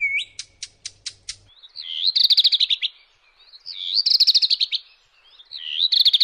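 Redstart phrases: a high upslurred whistle into a quick, jangly twitter, repeated about every two seconds, after an opening whistle and a run of sharp ticks.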